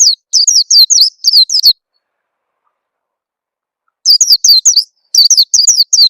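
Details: White-eye lure sound for coaxing birds into song: rapid runs of loud, high chirps, each dropping in pitch, about five per second, in bursts separated by a long silent gap.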